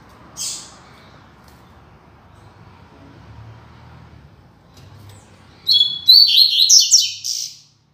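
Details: Double-collared seedeater, classic Tui Tui Zel Zel song for tutoring young birds: after a short high rasp and several seconds of low hum, a fast burst of high, bright chirping notes lasting under two seconds.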